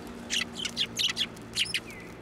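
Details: Sparrows at a Tenmangu shrine, 1 January 2024, landing on a hand to take food; a rapid series of about eight sharp, high chirps, ending with a thin downslurred note over a low steady hum.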